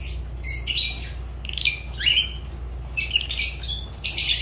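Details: Shrill, rasping chatter from a kept Fischer's lovebird: irregular bursts of high chirps and squawks, one rising screech near the middle, with a steady low droning hum behind.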